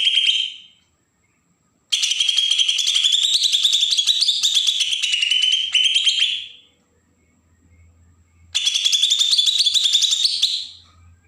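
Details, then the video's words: Bornean green leafbird from Berau in Kalimantan delivering provoking besetan song: a nearly five-second unbroken stream of harsh, rapid, shrill notes wavering in pitch, then a pause and another long burst. "cucak ijo Kalimantan suara besetan pancingan burung bakalan"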